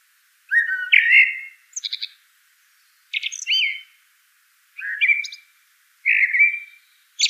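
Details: A common blackbird sings low flute-like phrases, several ending in a thin, high, scratchy twitter, with five phrases spaced about a second apart in quiet surroundings.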